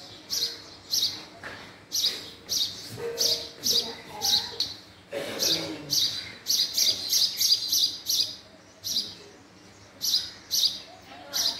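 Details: A long run of house sparrow chirping, roughly two dozen sharp, high notes in irregular bursts, some closely bunched and others spaced out, with a brief low rustle midway.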